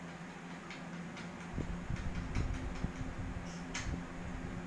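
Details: A low mechanical hum runs under irregular ticking and clicking sounds, with no animal calls.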